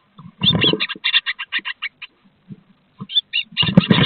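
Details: Great tit intruder (possibly a male) violently evicting the nesting female from her nest box one evening in early June 2023, Théding, France: fast, harsh, buzzy chattering in two quick runs over dull thumps and scuffling.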